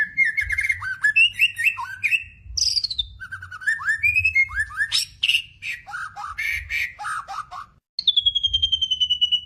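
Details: Energetic song of a White-rumped shama played to stir other shamas to sing: varied bursts of slurred whistles, falling and rising phrases, sharp high notes, and a brief pause before a final fast descending trill.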